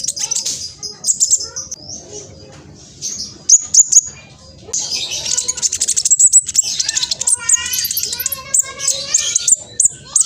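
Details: Juvenile spotted black sunbird in East Java, Indonesia, on a phone, pouring out a rapid, strident, very high chattering song to provoke other sunbirds, with bursts of buzzy trills and softer lower whistles in the background.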